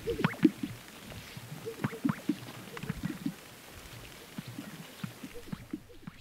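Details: Several male Greater Sage-Grouse displaying at a lek in high sagebrush desert, North Central Colorado, on a snowy April morning at dusk give hollow, bubbling pops and soft swishes in an uneven stream, some louder pops standing out; Greater Sage-Grouse.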